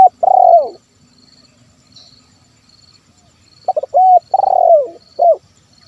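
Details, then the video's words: Terkukur, the spotted dove, cooing in 'kuk 1' style for luring wild doves into calling: two phrases of quick stuttered notes leading into a rolling, downward-sliding purr, ending with a short coo, separated by a pause of about three seconds. "SUARA TERKUKUR KUK 1 MEMANGGIL BURUNG LIAR"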